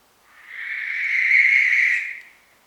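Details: A single drawn-out screech from a Western barn owl, a breathy, rasping hiss that swells gradually to a loud peak and tapers away, lasting about two seconds in a quiet setting.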